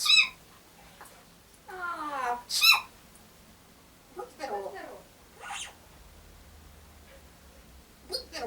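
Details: A pet grey parrot imitates coughing and sneezing to get attention, with short, harsh bursts mixed with squeaky whistled notes, while a person repeatedly says "bless you" in Russian in between.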